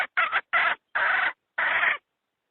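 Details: Hen call played to lure wild chickens into traps: five harsh, raspy clucks, the first short and broken, the later ones longer and drawn out, separated by short silences, with no other sounds.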